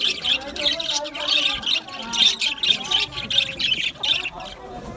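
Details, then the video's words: Budgerigars in an aviary, a dense flock chatter of scratchy chirps and warbles clustered high in pitch, many birds calling at once with constant overlapping notes and short squawks throughout. "Budgie chirping sound | Budgie parakeet singing | Budgie aviary sound"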